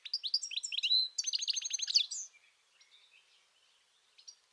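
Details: European goldfinch singing by the Tagus River at Aranjuez, Madrid, Spain: a rapid, liquid twittering of high tinkling notes and buzzy trills for two seconds, then faint scattered chirps and a brief final twitter.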